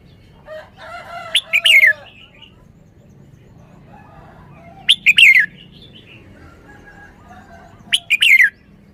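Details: Repeated song phrases from a red-whiskered bulbul displaying its singing style: three loud bursts of sharp, downward-slurred whistles roughly every three seconds, with softer warbling before the first.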